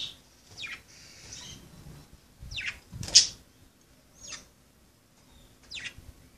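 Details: Playing budgerigars give loud, high, downward-sweeping chirps about once a second, with short pauses and one noticeably sharper peak near the middle.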